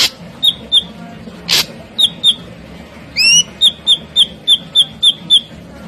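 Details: Ashy drongo singing energetically in full rapid-fire bursts. It gives a series of short, clear whistled notes, each repeated about every quarter second, with one rising, upslurred whistle midway and a single sharp broadband crack.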